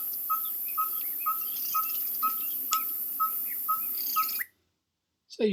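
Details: Red-fronted tinkerbird (Pogoniulus pusillus) song: a steady run of hollow, mid-pitched 'pok' pulses, about two per second, over a faint hiss of insects.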